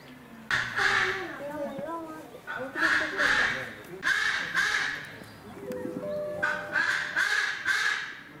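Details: White-bellied bustard, captive at Noichi Zoological Park, Kochi Prefecture, Japan, 21 December 2019: harsh, croaking bursts given in three or four phrases, each a rapid cluster of nasal notes, separated by brief pauses.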